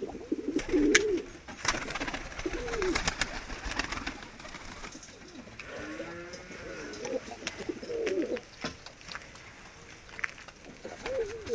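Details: Medium-sized diving tumbler pigeons coo in low, rolling bursts every few seconds, with pauses between them. Scattered clicks and a person talking are heard in the background.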